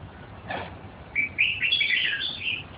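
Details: Red-whiskered bulbul delivering a flowing warbled phrase of overlapping whistled notes rising and falling for over a second, after a soft preceding note.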